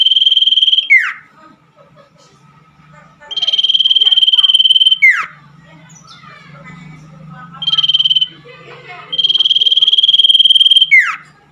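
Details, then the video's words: Common iora song played at night as therapy for caged birds that have stopped singing: three long, evenly pulsed high trills, each ending in a sharp falling slur, with softer chattering notes and a low hum between them. "terapi burung cipoh di malam hari II cocok untuk burung cipoh yang macet bunyi"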